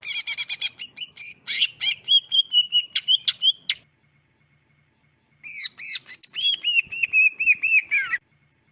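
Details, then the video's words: Greater green leafbird song used as a training recording to get pet leafbirds answering: two bursts of rapid, varied chirps and slurred whistles with a long silent gap between them, clean and bright. "MASTERAN SUARA CUCAK IJO ASLI JERNIH CUCAK IJO KAMU LANGSUNG NYAUT DAN NGETROK GACOR"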